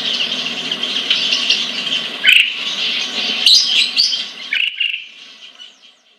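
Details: Captive sunbird, known locally as sogon or sriganti, in Kebagusan, Pemalang, Central Java; a dense high twittering run with a few sharp chirps, then the song trails off into near silence.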